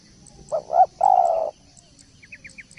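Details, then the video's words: Spotted dove in a 'masteran' tutor clip: two short rising notes then a longer steady low coo, followed by a run of faint high chirps from a small bird and light hiss. "Masteran Derkuku / Tekukur gacor poll"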